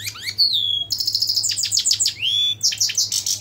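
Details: European goldfinch singing a fast, high twittering run: a rising whistle slurring down, then dense clusters of sharp chirps and buzzy notes, with a steady low hum underneath.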